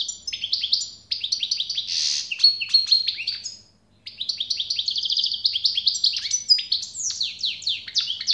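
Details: Goldfinch in prolonged song: fast liquid twitters, trills and downslurred chirps run together for several seconds, one brief pause midway, a low steady hum underneath.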